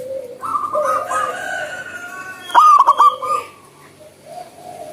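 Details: Wild zebra dove singing vigorously, recorded for use as a lure to prompt lazy doves to sing. Brief rapid pulsed cooing phrase, with softer whistles and tones from other birds before and after.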